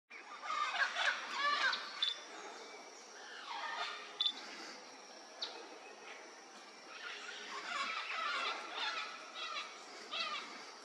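Vinaceous-breasted parrots give harsh, raspy squawks and chattering notes in irregular bursts, over a thin steady high-pitched hiss.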